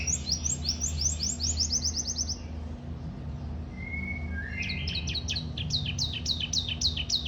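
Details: Canary singing energetically; rapid series of high descending whistled notes, a pause with a short flat whistle, then another fast run of falling notes, over a steady low hum.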